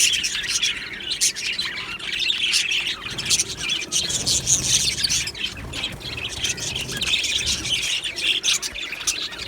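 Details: Australian budgies in a colony aviary, happy flock chattering: overlapping high chirps and squawky notes, rising and falling in waves, slightly quieter and with a soft low rumble partway through.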